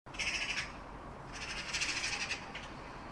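A magpie gives harsh, rasping chatter: a brief burst, then a longer rattling run of rapid scratchy notes, over a steady background hiss.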